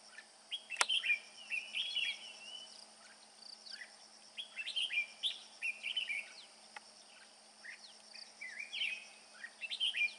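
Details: A father red-whiskered bulbul sings its bell-voice song while carrying food to its chicks: repeated clear warbled phrases in quick bursts throughout ten seconds, with a constant high-pitched insect buzz and one sharp click near the start.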